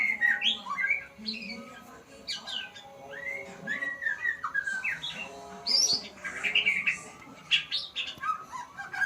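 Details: A learning white-rumped shama sings varied whistled phrases with sharp upslurs, quick chirps and brief high notes, separated by short pauses, over a faint low hum.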